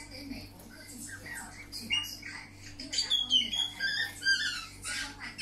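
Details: Budgerigar singing: soft murmuring chatter builds into a run of sharp, bright whistled chirps and squeaks, repeated quickly, over a low steady hum.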